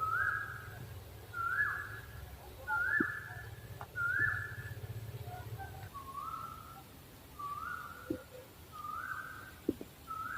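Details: An owl's series of clear whistled notes, first rising then falling in pitch, repeated steadily more than once a second, with occasional soft clicks and low hum behind.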